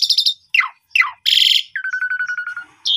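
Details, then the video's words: Asian pied starling singing vigorously in an evening lure recording, full of varied fill phrases, meant as a master for young birds: a trilled burst, two downward-slurring whistles, a harsh buzzy blast, then a steady pulsed rattle. "Istimewa Pancingan Sore Jalak Suren Gacor Mompa Full Isian"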